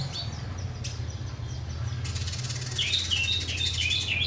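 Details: Indigo bunting: faint high chips at first, then a run of bright, slurred whistled phrases repeated quickly near the end, over a loud, steady low mechanical hum.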